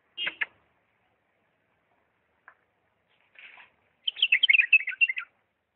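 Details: Diyala bulbul singing in refined 'lisanat' style: a pair of sharp notes, scattered soft sounds, then a longer lively run of quick warbling notes.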